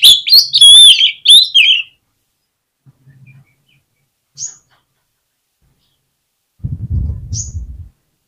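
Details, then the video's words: Oriental magpie-robin used as a singing lure for other magpie-robins: a short flurry of loud looping whistles and chirps, then long silence broken by faint high notes and a low rumble. "PANCINGAN KACER INI BIKIN GACOR MAKSIMAL || KACER LAIN PUN PASTI BAKALAN KONSLET"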